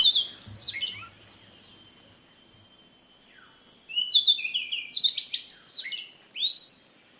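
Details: Oriental magpie-robin, local name mannathippullu, heard in a brief whistled phrase, then after a quiet stretch a longer varied burst of sweeping, rising and falling notes with some scratchy high elements, against light background hiss.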